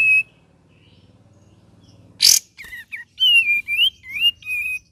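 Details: Cream-vented bulbul: one whistled note, then a long low humming background, a harsh rasping burst, and a run of warbled, wavering whistles rising and falling.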